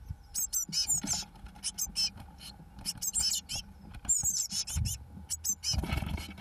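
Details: Blue tit nestlings aged 21 days, recorded 1 June 2012 while chicks fledge: dense runs of very high, short, twittering squeaks repeated in quick clusters over soft rustling and scratching.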